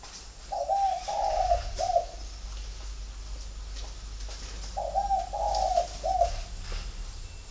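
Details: Spotted dove from a flock kept at a bird garden in Ba Vì, Hanoi, northern Vietnam, giving two soft, throaty cooing phrases about four seconds apart, each three linked coos with a clipped last note, over a faint low hum.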